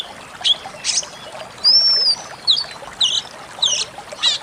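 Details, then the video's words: Pied bushchat song played as training audio for songbirds: a long, high, arched whistle followed by brief chirps and harsh bursts, over a constant hiss like trickling water. "masteran decu kembang"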